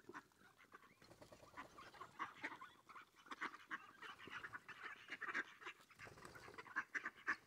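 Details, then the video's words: Mallards coming in to be fed, giving a steady scatter of mid-pitched quacks and nasal calls from several birds, rising and falling irregularly, with a couple of sharper higher notes near the end. "Ducks come and get it"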